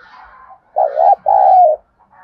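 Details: Urgent thúc gù cooing of a spotted dove, used to lure birds into a trap: a short wavering double coo followed by a long drawn, gently falling hoot, faint softer notes around it.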